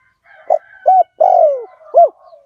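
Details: Spotted dove from a fierce Liu Tan bloodline, recorded as a lure for wild doves: a soft opening coo, a flat coo, a long drawn-out downward coo and a closing arched note, with faint background hum.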